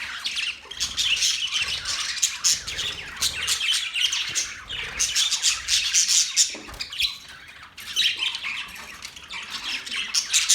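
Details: Budgies keep up a steady stream of shrill chirps and harsh squawks, thick overlapping chatter with short pauses near seven seconds.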